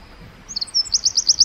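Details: Tiny wren in the forest: a few thin high notes, then the start of a fast, even trill of high-pitched repeated notes.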